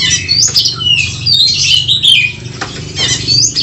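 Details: Oriental magpie-robins fighting, their song meant to stir up emotion: bright whistled phrases sweep up and down at high pitch, with rapid chattering notes and a steady low hum underneath.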